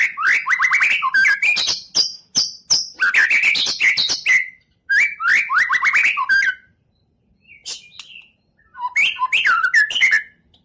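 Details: White-rumped shama, a champion competition bird, delivering loud bursts of rich, varied song: rising whistled phrases mixed with sharp clicks and rapid trills, in three main bouts separated by short pauses.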